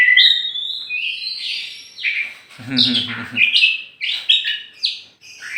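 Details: Tame kacer, a champion oriental magpie-robin from Aceh, let loose outside before caging: bright high whistled phrases, slurred and warbled, repeated in short bursts, with a low rough harsh note partway through.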